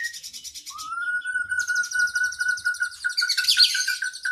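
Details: Caged oriental magpie-robin (kacer) training recording with long imitated fill-ins. A long, steady, slightly rising whistle runs throughout, overlaid by a rapid, buzzy, high trill that grows denser toward the end.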